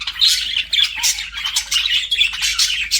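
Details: Flirting budgerigars keep up a steady, dense chatter of shrill chirps and rasping squawks, with no pauses across three seconds.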